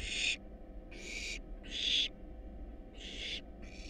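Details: Wild barn owl young in a nest box, fed a rat and a rabbit, produce harsh hissing snores in short bursts, five in four seconds, with a faint rumble in the background.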